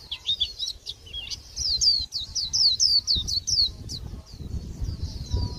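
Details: Japanese white-eye (khuyên bổi) near season's end singing a dull 'líu' song: jumbled high twitters at first, then a fast clear series of sharp downslurred notes before trailing off into faint chirps, with background rumble.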